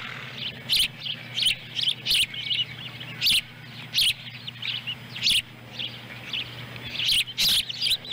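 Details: Ospreys at their nest in Lolo, Montana, on July 18, 2017, with a chick feeding on a small fish. Sharp high chirps come singly and in pairs at irregular intervals over a steady low hum.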